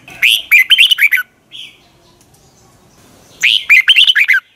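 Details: Red-whiskered bulbul, 2020 morning song in the long twisted double-voice style used to train other bulbuls: two loud, rapid phrases of chirpy, undulating whistled notes separated by about two seconds of near quiet.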